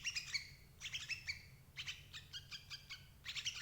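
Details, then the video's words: Sooty-headed bulbul calls meant to lure adult birds into a trap: chirpy bursts with bright stacked tones, four groups in under four seconds, each a rapid string of short notes, a soft hum behind. "suara burung crucuk ampuh jebak indukan"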